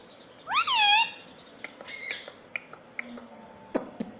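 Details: Pet parrot, described as talking mummy papa: one loud, clear arched syllable lasting half a second, followed by scattered soft clicks and a faint low murmur in a quiet room.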